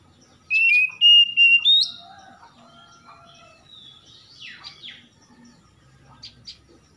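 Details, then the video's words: Oriental magpie-robin in a morning-dew trigger recording for stressed kacer: a clear sustained whistle breaking into two loud sliding notes, followed by quieter scattered chirps and soft downward sweeps. "PANCINGAN KACER EMBUN PAGI"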